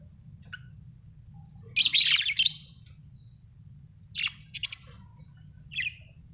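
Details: Pet budgerigars kept at home: a loud burst of buzzy, scratchy chirps, then short chattering notes and a brief squeaky call, over a low steady hum.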